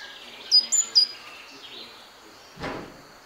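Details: Great tit at a bird feeder set at an office window, where birds come for walnuts, hazelnuts and seeds: three short, very high thin notes in quick succession, then a brief rustling thud, with faint background hiss.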